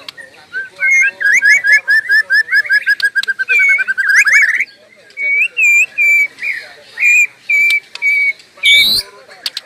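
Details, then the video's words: Endless white-rumped shama song: a long series of quick rising whistles building in pitch, then short clear level whistles repeated about once a second, with a final loud squeal. "Suara Burung Murai tiada henti"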